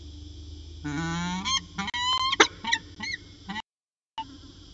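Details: Peregrine falcon calls at CSU Orange on the afternoon of 13 January 2019, around 4:19 pm: drawn-out, rising, nasal wailing notes breaking into quick choppy squeals, with a brief silent gap and a low hum beneath.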